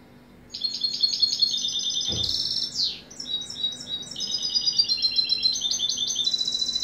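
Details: Varied European goldfinch song of high repeated twittering notes, a buzzy trill and a descending slur, then a continuing stream of mixed tinkling and chattering phrases without pause.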